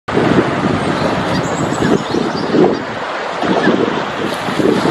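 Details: Steady roar of road traffic and wind buffeting the microphone, with no animal voice heard.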